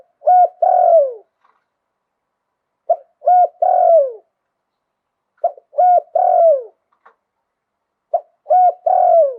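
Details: Spotted dove cooing in the liu tan style with a wild-type voice. Four phrases repeat about every 2.6 seconds, each a soft clipped note, a mid coo and a long downward-sliding croo. The background is silent.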